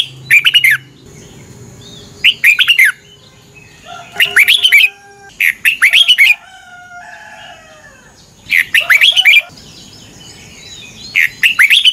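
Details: Competitive morning song of a red-whiskered bulbul for training birds: short bursts of harsh, chattering, warbled notes every couple of seconds, with quiet gaps holding faint thin whistles and a low hum.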